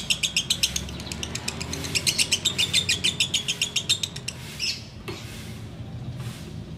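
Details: Caged sooty-headed bulbul giving a fast ngekek chatter during Ramadan before the fast ends: about twenty quick, evenly spaced chattering notes, roughly four per second, then a few isolated chirps over faint low hum.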